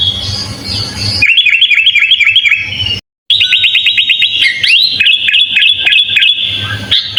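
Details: Sooty-headed bulbul in full fill-in song as a master for teaching other birds: rapid strings of bouncing whistled notes, about four per second, broken by a brief silent cut, then resuming with rolling phrases and a looping whistle.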